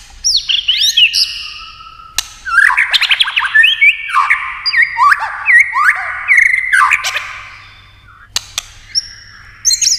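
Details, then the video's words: Competitive singing of a white-rumped shama: high descending whistles, a fast jumble of slurred notes and trills, then quiet, with scattered clicks. "kích chòe lửa hót đấu nhiều giọng"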